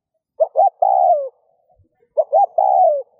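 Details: Cooing spotted dove, played to encourage other doves to coo: two phrases, each a pair of short clipped notes leading into a longer, mellow coo that drops in pitch at its end.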